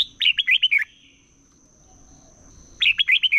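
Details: Red-whiskered bulbul singing competitively in the morning: two bright, warbling phrases of five fast notes each, separated by roughly two seconds of near silence with a thin, steady high tone in the background.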